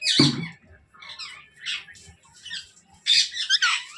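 A young Alexandrine parakeet gives a loud harsh squawk, then a run of softer raspy chattering calls and a final burst of shrill squawks indoors.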